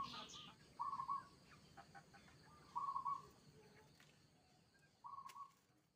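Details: Local Zebra Dove in kerot-style song used to coax other doves into answering: three short bursts of rolling, throbbing coos spaced about two seconds apart over a steady hiss of background noise.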